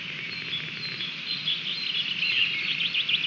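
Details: Osprey calling at its Latvian nest on 30 June 2020 as the male arrives with a stick. Thin, high chirps run faintly at first, then grow into a quicker, louder series of sharp whistled notes, over constant hiss.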